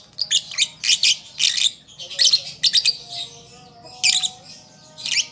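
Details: {'caption': 'A young lovebird still learning its song produces loud, raspy chirp bursts in uneven groups. There is a brief pause near the middle, then more shrill clustered notes follow, over a low faint hum.'}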